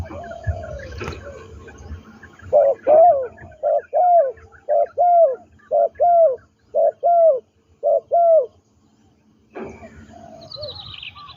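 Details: Captive trained spotted dove, used as a ground decoy in Thailand, cooing a steady run of about ten deep, arched, hollow notes in pairs, roughly two per second, then falling silent; a faint high bird note follows at the end.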